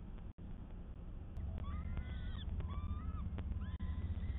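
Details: Peregrine falcon picked up by a live camera on 12 May 2022: a run of short, harmonic, whining calls that rise and fall slightly, several in quick succession, with a heavy low mechanical rumble throughout.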